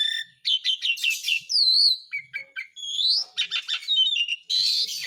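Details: Asian pied starling lure song meant to make quiet or lazy caged birds sing again, its calling quality prompting a response; rapid chattering notes, a clear descending whistle, short chips and rising whistled slurs, ending in a harsh buzzy burst.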